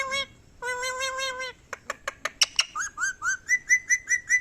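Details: Ringneck parrot talking: a drawn-out nasal, steady-pitched utterance, a run of sharp clicks, then about eight short rising whistled chirps repeated evenly.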